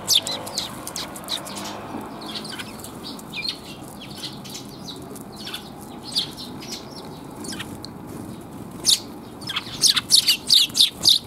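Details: Several sparrows chirping in a back alley on 28 January 2022: continuous scattered high tweets through the recording, growing into a dense, rapid chatter near the end, with low background hum throughout.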